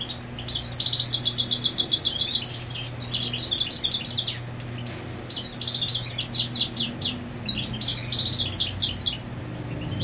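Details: European goldfinch holding territory while its female sits on the nest; repeated bursts of rapid high trilled chirps and tinkling twitters, phrases separated by short pauses, over a faint steady hum.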